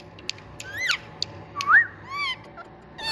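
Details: An Indian green parrot gives a few short, rising squealing calls with sharp clicks and chips between them, over a faint steady background hum.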